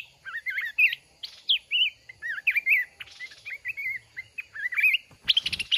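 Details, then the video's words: Wild mountain red-whiskered bulbul caught in a fight trap against a decoy bird caged for one month: lively, liquid whistled phrases rising and falling, repeated about once a second, ending in a burst of rustling or wing-flapping noise. "Chào mào núi bẫy đấu"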